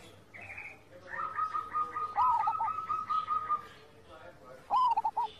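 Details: Zebra doves singing for bird training, a master recording: an extended rolling trill of evenly pulsed coos with a second bird's stuttered notes over it, then a final short burst of coos.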